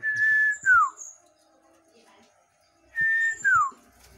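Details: Common iora kept for song training: two clear whistled phrases about two and a half seconds apart, each a level whistle followed by a sharply falling slurred note, with a faint high thin tone above.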